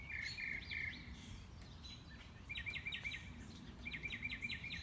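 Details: Mockingbird cycling through its repertoire during a morning walk: a held buzzy note, then rapid stuttering trills in two bursts, over a constant low rumble.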